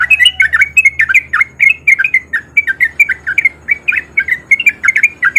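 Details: Breeding male sooty-headed bulbul, rapid ropel song meant to make lazy bulbuls answer; over five seconds of continuous bubbly, slurred notes, four or five each second, steady and loud.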